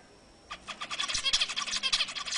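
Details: Zebra finch song used to encourage females toward mating: after a half-second of quiet, a continuous rattle of buzzy, nasal, harmonic notes builds and keeps going to the end.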